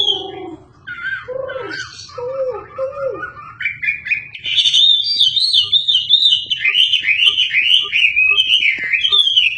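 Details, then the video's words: Energetic Chinese hwamei, kept to teach magpie-robins their song, opening with low looping whistles, then climbing into a long stream of quick high rolling notes repeated about three times a second. "Super gacor burung wambi"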